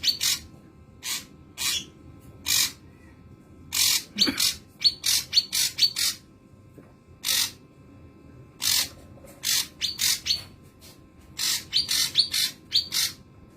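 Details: Young ashy drongo imitating the song of the common iora (local name cipoh); short, bright, high-pitched notes in quick clusters with brief pauses. Faint low background hum throughout.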